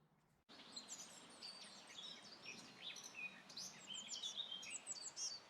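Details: Tree pipit singing loudly from a tree on Dartmoor in late April, a spring migrant, gives a high, busy run of sharp chirps, short trills and thin whistled notes, delivered without pause against faint background hiss.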